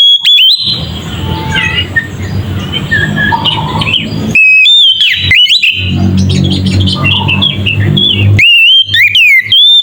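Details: Ngeplong song of an Oriental magpie-robin, used as a lure to make other magpie-robins agitated. Bursts of loud, ringing whistles with sharp slurs and flicks alternate with softer, rambling warbles over a noisy hiss.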